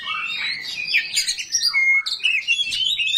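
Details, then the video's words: A kacer rawit oriental magpie-robin sings rough, varied phrases, a run of buzzy chatter, then a clean steady whistle and more quick slurred notes. "KACER RAWIT BONGKAR ISIAN KASAR, BIKIN KACER LAIN PASTI NYAUT"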